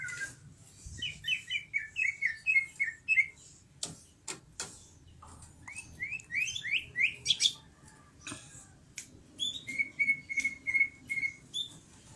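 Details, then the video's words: Greater green leafbird in lively 'gacor' song: bursts of quick slurred whistled notes, sharp clicking snaps in the middle, then a run of five even, steady whistled notes near the end. A low hum sits in the background. "Burung cucak ijo gacor"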